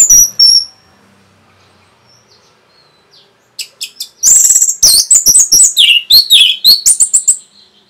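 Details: Rapid Orange-headed thrush song meant to rile up other birds: a couple of thin high whistles, a long quiet gap, then a fast, jumbled run of sharp chirps and slurred notes lasting about three seconds.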